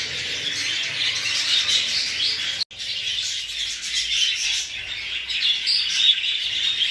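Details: Exhibition and hogoromo English budgies chattering together: steady high warbling twitter from many birds, broken by a brief silent gap near the middle before the chatter resumes.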